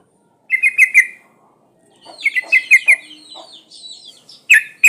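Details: Sooty-headed bulbul female in breeding condition calling to males, two chattering runs of four to five notes with faint chirps between, ending in sharp loud clicks.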